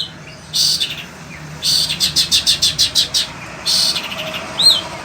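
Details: Long-tailed shrike of the sembur kind, a pet bird in Indonesia, singing in hot weather: a harsh burst, then a string of about eight even pulsed notes, another rasp, and a closing arched whistle.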